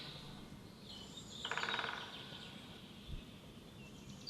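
A woodpecker gives one brief drumming roll, a fast burst of rapid taps lasting about half a second, over a steady hiss of outdoor background noise.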